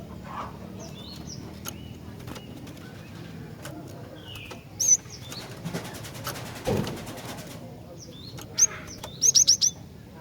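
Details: Female cinereous tit calling toward males. Mostly quiet thin notes and scattered clicks with a noisy thump midway, then a rapid run of four sharp, high, upswept chips at the close.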